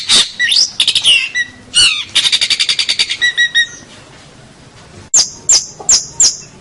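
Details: Long-tailed shrike, locally called cendet, a champion local bird in a tutor recording; loud varied song of sharp high whistles, a fast even run of clicking notes, then four piercing descending whistles spaced about half a second apart.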